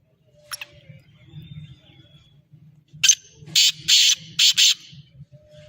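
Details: Kala teetar, the black francolin, calling over a low rumbling hum: one faint sharp note, then a loud scratchy sequence of four harsh bursts, the final two set close together.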